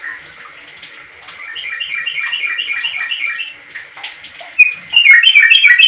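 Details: Sooty-headed bulbul calling to draw other bulbuls into answering: a faint run of quick chattering notes, then a louder burst of rapid, bubbly, slightly buzzy notes near the end, several per second.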